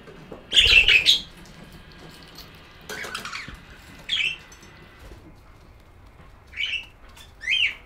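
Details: Budgerigar chirping: a loud burst of scratchy chirps, then short bright notes spaced a second or two apart over a quiet background.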